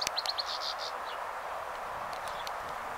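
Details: A European goldfinch on an allotment in Taunton, Somerset, England, on 11 July 2022, gives a quick burst of high, tinkling twitters in the first second, then a few faint chips over a steady outdoor hiss.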